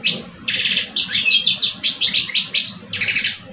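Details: Caged European goldfinch males, one mature and one two years old, face off in song. Continuous bright, fast twittering with liquid trills and buzzy notes, briefly pausing near the end, then resuming.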